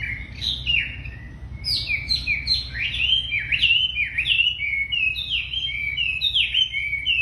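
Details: Very tame wambi singing energetically: a steady run of bright whistled notes, each sliding down quickly, repeated several times per second in a continuous lively stream, with a low background hum.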